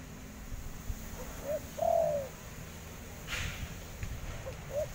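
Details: Spotted dove with one full phrase of short soft hoots and a long gently falling coo, then a brief click-like sound and the start of another phrase.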